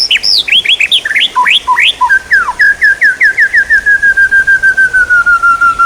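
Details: Songbird training material: rich, varied whistled phrases of rising and falling slurs, running into a long, evenly paced series of short notes that slowly descends in pitch.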